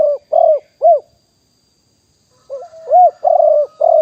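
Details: Live 2021 recording of a wild spotted dove decoy at Nong Khu Phai. A phrase closes with soft coos, then after silence a new one starts with a low lead-in followed by burry rolled coos and clear curved notes.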